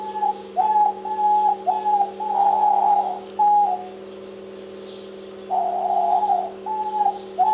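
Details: Diamond dove giving soft, mellow coos, short level notes alternating with longer wavering ones, repeated in loose bursts separated by a pause of about two seconds, over a constant low hum.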